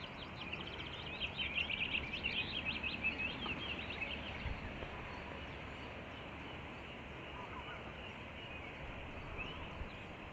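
A Willow warbler sings one soft, sweet phrase of quick high notes that trickle gently downward over about three seconds, against a steady rushing background.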